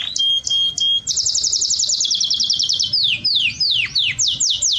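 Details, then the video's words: Mating canary in Jordan: opens with flat steady whistled tones, then a fast tight trill of high repeated notes, followed by slower, loud, deeply swooping downward whistles spaced about half a second apart. "تغريد أجمل ألوان الكناري"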